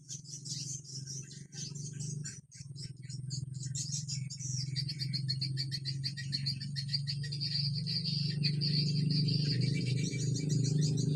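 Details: Swiftlet calls from Kalimantan this season: many rapid, high, overlapping chirps forming a continuous twittering chorus, with a strong steady low droning hum underneath that gets louder toward the end.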